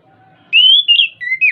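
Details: Orange-headed thrush singing, meant to coax a caged bird to sing: a bright whistled phrase climbing and wobbling, then dropping to a lower steady tone before a short rising finish.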